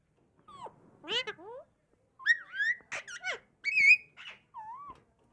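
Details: A talking Alexandrine parakeet (pahari parrot) producing short mimicked speech-like phrases: gliding, warbling whistled syllables in bursts separated by brief pauses, in a quiet setting.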